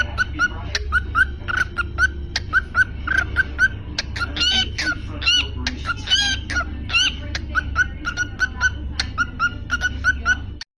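A cockatiel sings a string of bright whistled notes that rise and fall, over a steady low hum.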